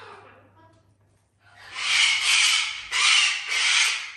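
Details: After a quiet start, a house parrot kept with other exotic animals lets out sustained, harsh, hissing screeches in three joined bursts; a person laughs right afterwards.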